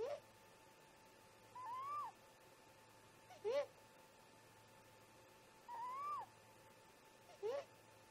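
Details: Early-morning exchange between two great grey owl parents at the nest around 04:25: a long arching wail, then a sharp upward whoop, the pair of notes repeated twice, over a continuous electrical hum.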